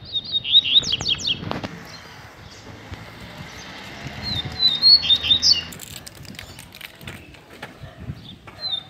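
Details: Caged Double-collared Seedeater (coleiro) livening up and singing more: rapid high twittering phrases of sharp, thin notes at the start and again midway, with quieter gaps, low background rumble and brief clicks.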